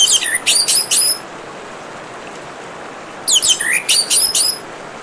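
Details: Orange-headed thrush singing beside gurgling water, two rich phrases of quick high whistles with sweeping, slurred notes, about three seconds apart, over a constant background hiss of flowing water.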